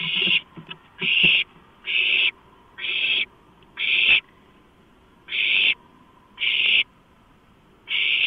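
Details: At a night food delivery on 23 March 2015, owlets grab a large rodent and give eight loud, hoarse hissing screeches, some close together and others separated by longer pauses, with light scratching and knocks near the start.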